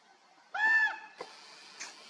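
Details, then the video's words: Common raven in flight, recorded 30 July 2024: one clear, nasal, slightly arched call lasting under half a second, followed by two faint short notes. "Голоса и полеты воронов"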